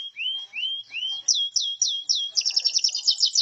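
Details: Canary singing for use in training other birds: three rising whistled slurs, four sharp descending chips, then a fast high rattling trill.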